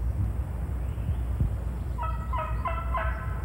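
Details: A worked-up male wild turkey about 25 yards away, answering hunters' calling from behind brush downhill, gobbles once near the end: a rapid, throaty rattle of four quick pulses over about 1.5 seconds, over steady low wind rumble.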